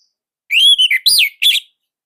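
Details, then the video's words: Orange-headed thrush singing loudly in Indonesia, a caged bird: a bright whistled note, two shorter downslurred phrases, then a strong arched note and a final fluttery phrase, all in quick succession. "Kicaumania Anis Merah Indonesia//Gacor Nonstop."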